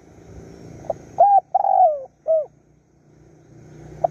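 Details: Spotted dove calling for a mate while luring wild doves in Surat Thani, Thailand: one full cooing phrase of a short note, long purring coo and closing note, with soft low background noise.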